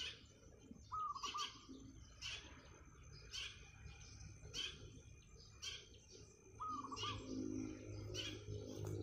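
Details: Zebra dove, wild, perched on a tiled roof in the morning and singing eagerly; two brief rolling, trilled coo phrases about six seconds apart, set among frequent loud, scratchy chirps from other birds.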